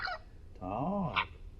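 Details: A talking amazon parrot from Poland, a contestant in a talking-bird championship, practising words in the yard: a short squawky, speech-like utterance with a rising and falling tone, followed by a brief high squeak, over low background hum.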